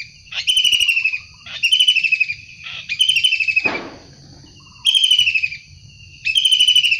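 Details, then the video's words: Wild long-tailed shrike giving repeated harsh rattling calls, five loud buzzy pulsed bursts that sag downward, roughly one every second or more, with a brief scratchy noise between them. "Tengkek udang gacor asli alam liar"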